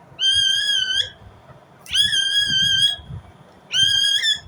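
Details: Three drawn-out, piercing calls from an Indian ringneck parrot, each a flat harsh screech of nearly a second, with quieter pauses between them and a faint low hum underneath.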